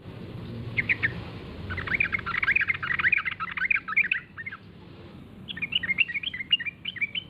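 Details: Yellow-vented bulbul lure recording meant to make other bulbuls answer and call; bright chattering phrases of quick rising and falling notes, a short burst, a long busy run, then a brisk bouncing series over a low background rumble.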